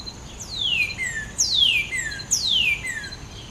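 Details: Northern cardinal giving three loud, clear whistles, each sweeping steeply downward from high to lower pitch, repeated about once per second over a faint steady background hiss.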